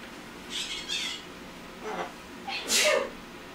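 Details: Macaw imitating a sneeze indoors: a few short breathy, hissing bursts, then a sharper explosive sneeze-like burst near the end, over a steady background hum.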